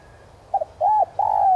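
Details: Spotted dove used as a lure for wild doves, with a standard 'son' voice: a brief doubled note, a rounded coo, then a long, smooth, slowly descending coo that runs to the end.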